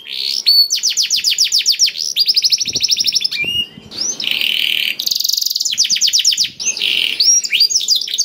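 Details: Black-throated canary song used as a singing lure for canaries: rapid high trills in bursts, interrupted by buzzy lower phrases and brief clicks.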